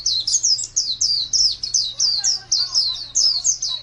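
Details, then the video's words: White-eye (pleci), a pet contest bird with a 'master' voice, 2017: bright, high chirps rising and falling in quick, evenly pulsed phrases over a faint low hum. "Birds Chirping Pleci Master Joss Chirps"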